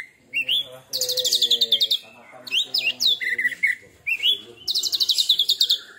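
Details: Young kacer (Oriental magpie-robin, one molt) singing in 'tembakan' style: a rising whistle leads into dense, rapid trills of high, chattering notes, repeated in three phrases.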